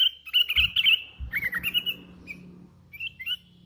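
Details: Sooty-headed bulbul, hand-raised, sings a loud warbled chirping phrase that trails off into softer scattered notes, with low thumps and a steady hum behind.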